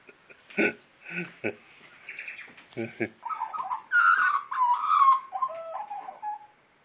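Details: A person speaks briefly, then a wild Australian magpie asking for breakfast answers with a warbled carol. The mellow, gurgling notes wobble and slide downward, ending in a short held whistle.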